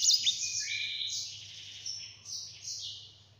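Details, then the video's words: Yellow-fronted canary singing in the clear, rolling gacor style kept for tutoring birds. A short run of high sliding whistles and level drawn-out notes, with a soft steady hum beneath. "Sanger Gacor Ngeroll Suara Jernih"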